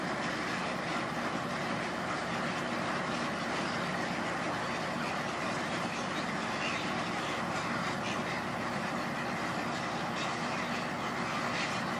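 Steady traffic rumble and engine noise fill the recording, with no animal calls standing out.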